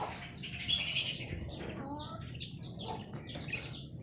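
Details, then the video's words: Budgerigars chirping: rapid, high warbling squeaks and downslurred notes, roughly four per second, with a burst of wing flutter near the start. "Bajri Parrot"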